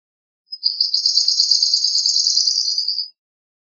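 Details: Swamp sparrow trilling: a buzzy, blurred run of fast high notes held for about two and a half seconds, steady in pitch and loudness, with nothing else audible.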